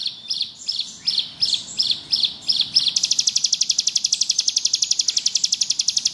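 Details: Actively singing bar-winged prinia, ngebrem style, used for tutoring: a run of spaced chirped notes, then a long even rattling trill of sharp high pulses.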